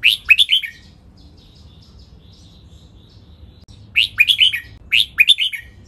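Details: Training recording of a red-whiskered bulbul delivering its doubled song of 23 counted notes: one short run of bright, slurred whistles, a long quiet gap with faint soft notes, then two more rapid whistled phrases back to back.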